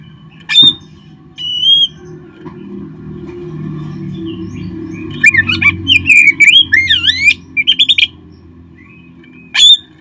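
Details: Song of an Oriental magpie-robin, played to get caged birds singing: scattered single whistled notes, then a lively run of swooping, warbled phrases, ending with a lone sharp note.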